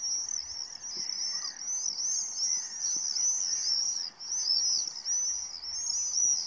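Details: At a spring dawn, common swifts flying over the Tancat de Milia wetland while feeding on mosquitoes give shrill, buzzy screams, many birds overlapping in a near-continuous high-pitched chorus with only brief pauses.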